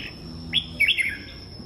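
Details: Red-whiskered bulbul singing in the morning: a short, clear whistled phrase, a rising note followed by quick warbled notes that slide downward, over low background hum.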